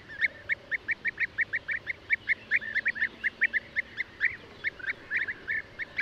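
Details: Steady procession of short, throaty, mid-pitched notes from European bee-eater, evenly spaced at first, then clustering more densely toward the end.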